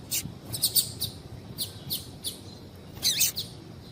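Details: Chirping of a female double-collared seedeater, used to stimulate males to sing. Short, high notes repeat several times a second, somewhat soft, over a low rumbling background.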